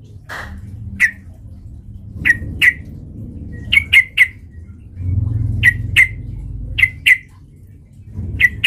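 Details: Sooty-headed bulbul lure for stirring rival birds to fight: single bright chirps spaced irregularly, sometimes in twos or threes, with quiet gaps and a low rumble of background noise between them.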